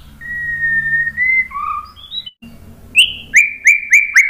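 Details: White-rumped shama singing in full, open voice, used as a lure to make other birds answer: long steady whistles, a low whistle, short rising notes, then a row of bright downslurred notes after a brief pause.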